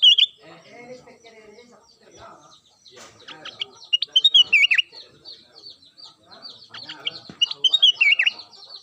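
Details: Ruby-throated bulbul (kutilang emas) in daily song: bursts of lively whistled and warbled phrases separated by pauses, with faint background rustling and murmuring noises between the bursts.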